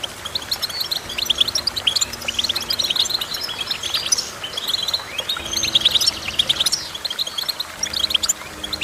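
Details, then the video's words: Long run of goldfinch song, a busy tumbling chatter of high tinkling notes and buzzy trills that swells louder in the middle and carries on without a break. "Goldfinch Chirping"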